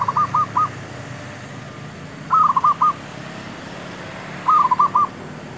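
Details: Male zebra dove used as a decoy to lure wild birds during trapping. It gives three quick phrases of four or five rolling, bubbly coos, about two seconds apart, over a steady low hum.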